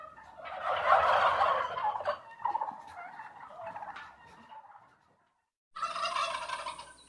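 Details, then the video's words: A loud rattling turkey gobble peaks near the start and trails off into softer, broken gurgling notes. After a short silence a second bright, pulsing gobble follows. "ЗВУК ІНДИКА | Який звук видає індик"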